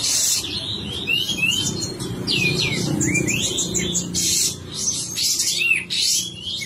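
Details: Sooty-headed bulbul from a bird-keeping hobby, singing energetically ('gacor') with its tail spread. Quick strings of short, bubbly whistled notes rise and fall throughout, broken by harsh noisy bursts, over a steady low background hum.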